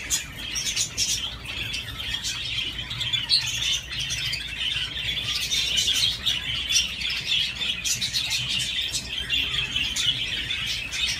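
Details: Long spell of budgerigar chatter while it plays on a swing, with fast, continuous high twittering and squeaky warbled notes, broken by frequent short rustles and clicks.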